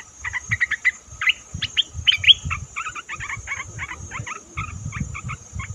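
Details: Bulbul lure calls used for bird trapping: quick bursts of short chirped notes in clusters, then a steady run of paired clipped notes, with low thumping noises underneath.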